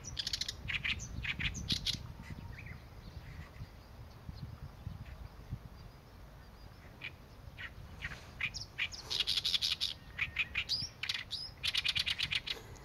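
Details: Oriental reed warbler song: loud bursts of rasping, chattering notes, a quieter middle stretch, then rapid grating series again, over low rumble.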